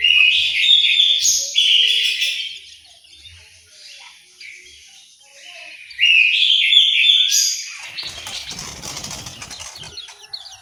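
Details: Aviary orange-headed thrush in Malang, East Java: two bursts of loud, fast, varied warbling and whistling separated by a quieter spell, with a soft rustle and low scraping near the end.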